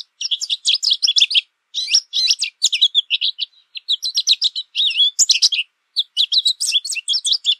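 American goldfinch singing a long, rambling run of bright twitters, sweet notes and short buzzy trills, high-pitched and nearly continuous with brief pauses.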